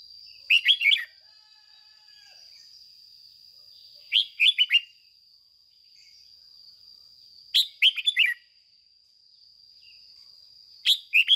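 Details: Caged red-whiskered bulbul used as a training decoy repeats a short, lively chirping phrase about every three and a half seconds, in the 'ché' singing style, with a continuous high whine between phrases.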